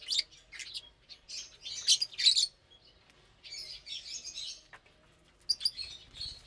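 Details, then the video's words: Lovebirds having their morning meal of vegetables and seeds on 30 April 2022 give rapid, shrill chirps in busy clusters, a short lull, then a buzzy stretch of chatter and a final squeaky burst. "Lovebirds Meal Time"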